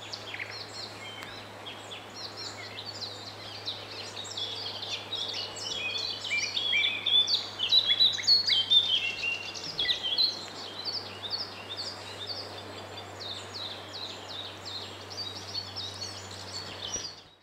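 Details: Common sandpiper at Zbiornik Joachimów Mogiły reservoir, Poland, 27 May 2017, calling thin, high piping notes in rapid runs over a steady low hum.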